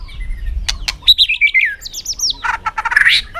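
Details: White-rumped shama singing in a contest in afternoon sun: clicks, then a descending whistled phrase, a series of looping high notes, and a harsh buzzy burst.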